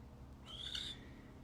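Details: Captive female great horned owl (Bubo virginianus), an imprinted non-releasable ambassador bird at a New Mexico wildlife centre, calls from her enclosure with one harsh, raspy, high screech of about half a second over a low rumble.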